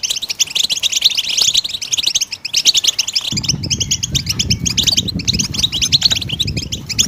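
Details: Goldfinch song meant to prompt other birds to sing, with rapid high twittering and chirped trills throughout; partway through, a low rumbling background noise joins beneath the bird.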